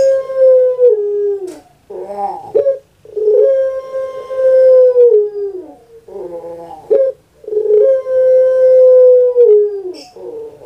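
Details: Kept puter pelung dove, a bird well known on Java, Indonesia, repeats its phrase about three times: rolling gurgled notes, a clipped note, then a long, level coo that falls away at the end.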